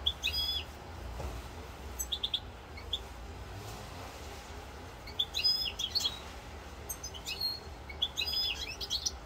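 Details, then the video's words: A 'rosse corse' European goldfinch sings, recorded 7 November 2022: several short twittering phrases of high, liquid chirps and buzzy notes come in clusters with gaps of a second or more, against a faint low rumble. "chant chardonneret rosse corse"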